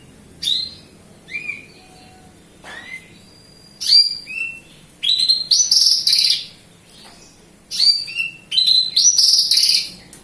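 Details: Bush lark of Javan local type from Kediri in lively song, opening with scattered whistled slurs, then dense bursts of rapid, ringing, high chirps run together into rattling phrases.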